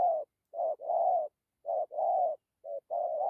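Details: Close, loud spotted dove cooing: a fast series of mellow low notes pairing a short coo with a long sustained one, three pairs within a few seconds.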